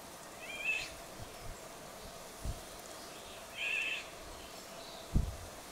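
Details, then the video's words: Eurasian golden orioles in western Poland, several birds singing: two brief, fluty whistled song phrases about three seconds apart, over a low background rumble with a couple of dull knocks. "Pirolgesang von mehreren Tieren - Vogelstimme Pirol"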